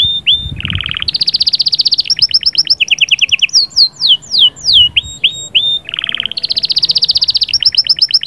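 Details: Canary song with sahsahat and batbatat passages, said to get the female ready quickly: long rapid rattling trills alternating with buzzy rolls and runs of steep downslurred notes, a low thump near the start.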